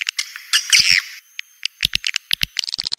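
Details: Swiftlet house lure, "Joker", of edible-nest swiftlets: a brief burst of shrill, buzzy twittering, then a run of quick dry clicks that speed up toward the end.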